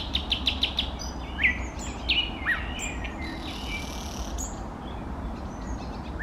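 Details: Nightingale, called eastern nightingale, opens with several fast repeated sharp notes, then gives rising and falling whistled slurs and a soft high buzzy passage, against constant low background noise.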